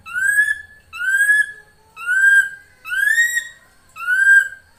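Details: Calling female drongo, used to lure a male. Five pure, gently rising whistles of similar length repeat almost once a second, with a short pause after each.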